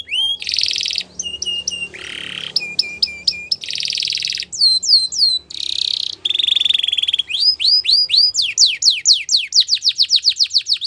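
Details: Belgian canary singing as part of training, varied tours of buzzy rolls and ringing whistles, ending in a quickening series of downslurred notes about four per second.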